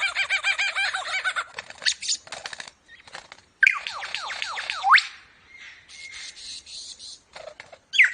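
A lyrebird pours out a varied medley of loud whistles, rapid chattering trills and sharp downslurred notes, switching phrases every second or two.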